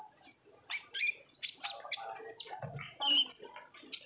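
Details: Olive-backed sunbird singing in the lively 'ngobra' style, played as a lure so other sunbirds start singing: a fast, unbroken jumble of thin high chirps, short whistles and buzzy trills, with a few lower notes mixed in.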